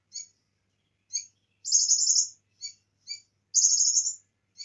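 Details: Bar-winged prinia, full song with cililin insertions; isolated high chips separated by pauses, then a long buzzy trill, the pattern repeating once.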